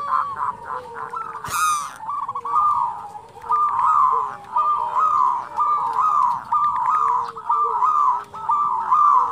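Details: Local zebra dove (perkutut) singing the "kerot" and "bekur putar" cooing styles as a tutor recording: low rolling trilled coos repeated about once a second, softer lower cooing beneath, and a sharp click near the start.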